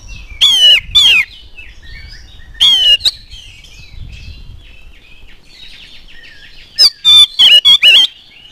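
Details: Energetic oriental magpie-robin singing, meant to draw other magpie-robins into song: a few clear, slurred whistles and rasping notes, a long quiet gap, then a fast cluster of sharp, buzzy phrases near the end.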